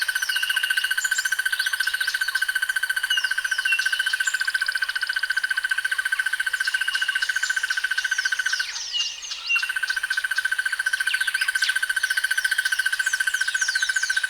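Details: Crested barbet giving a long, sustained, rough trill like a fat insect or a mechanical device. It runs almost unbroken, with one short pause near nine seconds. Other birds chirp and whistle higher in the background throughout.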